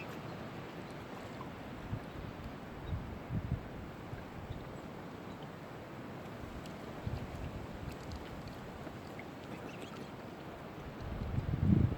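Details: Low rumbling wind and water noise with faint knocks, like a boat on a lake; no animal calls stand out.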